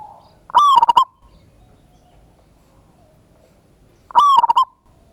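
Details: Lure song of a local zebra dove, ngayer kerot nutut style, used to stir other birds into singing: two loud phrases of rapid pulsed coos with a slight downward slur, separated by about three seconds of quiet.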